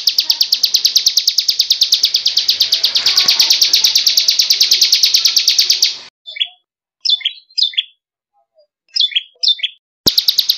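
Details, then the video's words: Bar-winged prinia, a crystal ciblek kept for tutoring other birds' song, gives a fast, high, metallic trill of rapidly repeated notes for six seconds, then short sharp chirping phrases separated by silences. "Masteran super mewah ciblek kristal"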